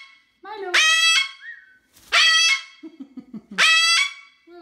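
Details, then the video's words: A male pet Moluccan cockatoo screaming to show how loud the species gets gives three very loud, harsh, harmonic-rich screeches, each about half a second, with a person's voice between them. "How loud are parrots, can they get crazy loud? My Moluccan Cockatoo showing you how loud"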